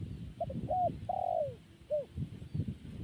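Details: Perkutut, or zebra dove, cooing: a few short staccato notes, then a drawn-out falling coo and a final brief note, over low rumbling background noise.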